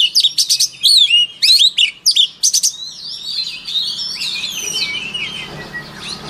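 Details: White-rumped shama song for voice training: loud, rich whistled and fluted phrases with quick swoops, followed by a fainter, jumbled twittering tail.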